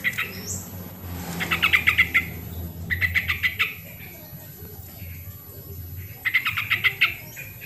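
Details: Original sooty-headed bulbul sound played to encourage reluctant birds to sing: three rapid chattering runs of six to eight harsh notes, separated by pauses, with a low rumbling hum underneath.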